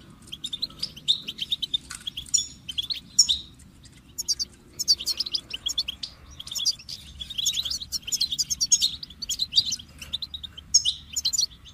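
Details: Goldfinch delivering an extended song of rapid high twitters, buzzy trills and sharp chirps in dense bursts, with short pauses and a faint low background rumble.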